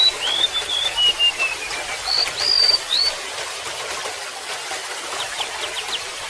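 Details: Golden-bellied gerygone song: a high whistled phrase sliding gently downward, then two brief upslurred notes near three seconds, before only trickling water remains.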